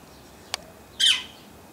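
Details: Yellow-shafted Northern Flicker, a male, in a backyard in Edmonton, Alberta, Canada, gives one loud, harsh, downslurred squawk lasting about a quarter second, preceded by a sharp click, against a quiet background.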